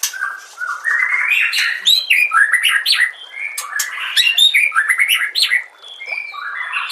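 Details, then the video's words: Song of a white-rumped shama, compiled as masteran for training songbirds: a long, unbroken stream of varied whistles, trills and scratchy notes, rapidly alternating low and high, with one brief lull near the end. "MASTERAN SPESIAL TAHUN INI AUDIO JERNIH KOMPILASI MEWAH UNTUK SEMUA JENIS BURUNG MURAI BATU"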